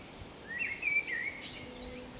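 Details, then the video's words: A common blackbird sings on the Camino de Santiago, Zamudio, 28 March 2019: a rising fluted phrase of rapid wavering notes, followed by a thin, high scratchy twitter that fades out. "ZOZO ARRUNT BATEN KANTA 2 _2019.03.28_ Turdus merula (Canto de un mirlo común 2)_"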